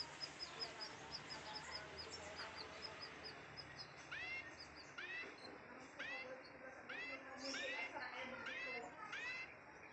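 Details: Canary, an AF × Loper pairing, recorded during mating: soft high ticking notes through the first three seconds, then a run of downward-sliding whistled calls repeated roughly twice a second, over steady background hiss and faint voices.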